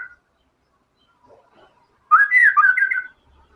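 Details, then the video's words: White-rumped shama in vigorous song with imitated isian material: a single loud, rich, warbled phrase of about one second, twisting up and down, after near-silence with a few faint soft notes. "MURAI BATU GACOR‼️FULL BONGKAR SEMUA MATERI ISIAN"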